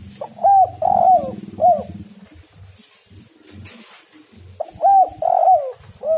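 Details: Spotted dove lure calling: two phrases of three arched coos, short, long, short, separated by a pause, over a steady low hum and background hiss.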